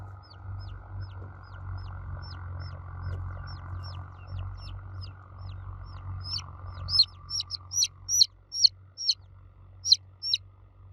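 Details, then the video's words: Chicks calling for their mother hen with thin, high peeps repeated at an even pace. The peeps are soft at first and grow much louder and sharper in the last few seconds, above a low background hum. "Baby Chicks Chirping Sound For Kids Chicks Cheeping Loudly For Mother Hen"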